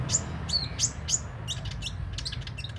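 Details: Sunbird in persistent, open-beaked song: a few bright, piercing high tweets followed by a softer, faster chatter of high notes.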